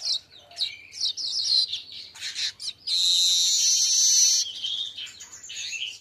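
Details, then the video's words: Asian golden weaver song recorded at midday as a tutor for other birds: rapid, squeaky chattering phrases build into a loud, sustained sizzling wheeze, followed by further wheezy chatter. "Masteran burung Manyar siang hari"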